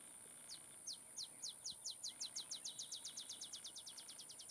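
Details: Olive sparrow at Laguna Atascosa National Wildlife Refuge, Los Fresnos, Texas, 30 May 2015, delivering a clear series of roughly twenty-five high, sharply down-slurred chips that start spaced out and accelerate into a fast, even trill, over a steady high-pitched whine.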